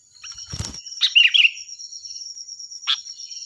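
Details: Loud, ringing sooty-headed bulbul used as a training model for other birds, delivering one quick bubbling warble after a brief thump, then a short sharp note, over continuous insect buzz.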